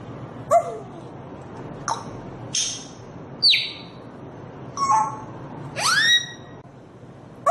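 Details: African grey parrot giving six separate short calls roughly a second apart: sharp whistles and squawks, some sweeping steeply downward, one ending in a bright rising whistle, over a low steady background hum.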